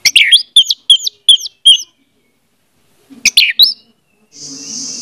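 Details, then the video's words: Orange-headed thrush song as a lure for a non-singing bird: five quick hooked whistles in a row, silence, a short repeat of the phrase, then a steady hiss. "audio suara anis merah || pancingan ampuh untuk ania merah membisu"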